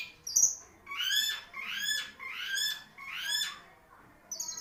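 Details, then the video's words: Long-tailed shrike, a songbird praised as a long-duration singer, giving four rising harmonic notes about one second apart, with short high whistles at the start and end. "CENDET MARLBORO | BURUNG SI RAJA DURASI"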